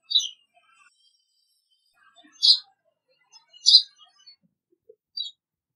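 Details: A Eurasian tree sparrow gives its call notes: four short, bright chirps about a second apart, each a quick high note, against a quiet background.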